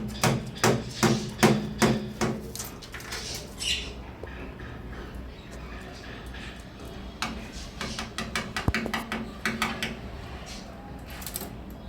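A lorikeet gives a burst of rapid, harsh, scratchy squawks, then falls quiet before another stretch of clicking chatter; a low voice-like hum sits underneath.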